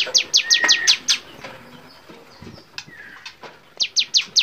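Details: Bar-winged prinia (cigun) on a songbird training recording: short bursts of rapid, sharp, high descending notes, about five in quick succession, a pause with faint whistles, then another burst of four.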